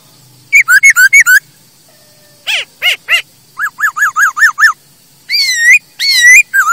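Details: A masked laughingthrush sings for use in training birds: quick bursts of loud whistled notes, a few ringing down-swept calls, a run of five short repeated notes, and longer looping whistles.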